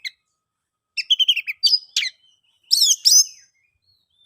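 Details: Oriental magpie-robin song aimed at getting silent birds to sing: a short rapid chatter of repeated notes, a couple of sharp whistles, then two loud buzzy slurred phrases after a pause.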